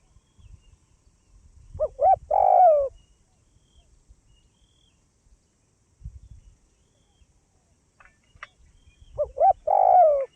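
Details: Spotted dove from northwest Vietnam giving two cooing phrases about seven seconds apart, each a pair of short rising notes and then a longer, louder, falling coo. Faint low rumbling noise fills the gaps between phrases.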